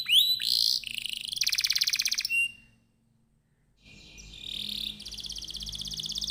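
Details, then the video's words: A canary sings as a lure for other canaries: bright whistles and fast buzzy trills, a pause of about a second and a half, then the rolling trill resumes. "Kenari gacor, Apapun jenis jenis anda pasti akan terpancing bunyi dengan pancingan kenari ini"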